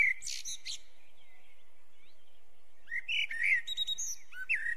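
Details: Eurasian blackbird singing: a burst of high, squeaky twittering, then after a pause several mellow, fluty warbled phrases that rise and fall in the middle register, with some thin high notes laid over them.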